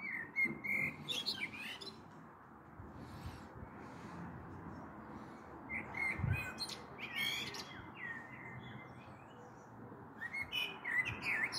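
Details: Common blackbird evening song, 21 April 2022, taped from a balcony as a storm possibly builds: repeated low, flute-like warbles, each finished with squeaky high twitters, separated by pauses of a few seconds, over steady background noise.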